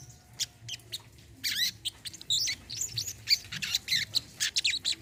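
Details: Olive-backed sunbird (sogon or kolibri kelapa), used to stimulate birds that no longer sing: scratchy, high twittering and squeaky rising notes in quick runs, growing busier toward the end.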